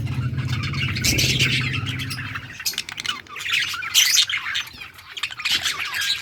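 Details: Yellow budgies on August 6, 2024, burst into harsh squawking chirps, then quieter chatter punctuated by bright high squeaks, over a low hum that fades after two seconds.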